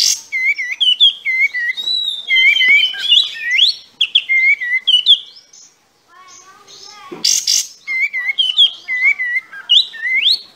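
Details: Sooty-headed bulbul in full, active song with tail spread, a clean recording for tutoring other songbirds: bright whistled phrases with quick upward and downward slurs, repeated in bursts, a short pause midway, then the phrases resume. Quiet background.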